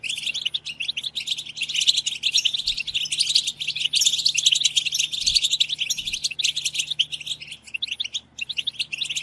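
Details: Massed goldfinch twittering, the 'batbata' group song, used to push goldfinches to sing. High, busy chirping and trilling runs without pause, with several birds overlapping, and a few faint low thumps underneath.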